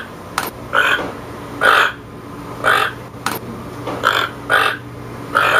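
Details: Broad, grating croaks of a toucan at uneven intervals, some paired, interrupted by sharp clicking noises over a steady low electrical hum.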